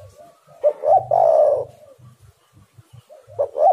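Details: Spotted dove (derkuku) coo phrase played to make other doves call: quick rising notes then a long, throaty falling coo, with a new phrase starting at the end and soft low pulsing thumps between.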